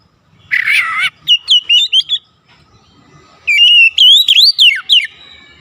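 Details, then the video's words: A songbird gives a harsh, broad note, then a run of sharp whistles. After a short pause it delivers a longer rising and falling whistled phrase. "Suara burung goce paling pedes ditelinga"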